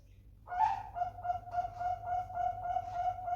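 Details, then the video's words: Bangkok-type zebra dove chick, raised as a contest prospect, sings a sustained, rapidly throbbing coo. It starts abruptly and holds an even mid-pitched tone with quick pulsing beats throughout. "burung perkutut bangkok piyik prospek bahan lomba"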